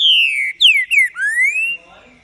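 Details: A green-winged saltator sings very loudly: a clear whistled phrase of a long falling note, two quick downslurs, then a rising whistle, all within two seconds.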